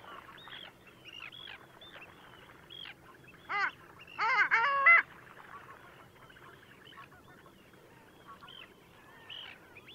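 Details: Long-tailed ducks at Liepāja, Latvia, January 2024: soft scattered nasal notes from a flock, broken by a loud cluster of harmonic, bending honks, then quieter chatter again.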